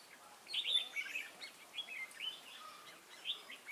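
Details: Red-whiskered bulbul, wild-caught, lân-type crest, 22 October 2018: a run of rapid, bubbly whistled notes, louder at first and then fading into softer scattered chirps.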